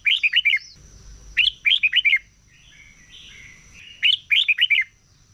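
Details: Red-whiskered bulbul singing a contest song in the morning, a bird in voice training: a crisp four-note whistled phrase repeated three times, each note sliding downward, separated by quieter warbling.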